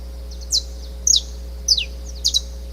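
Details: Saffron Finch (canário-da-terra), a species common in Brazil, giving four bright, high chirps about every half second, each a quick downward slur, over a faint low steady hum.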